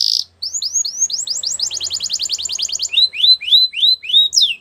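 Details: Singing Belgian canary for training young canaries: after a brief buzzy note, a long series of upward-curving whistled notes speeds into a fast rolling sequence, then slows to drawn-out swooping whistles.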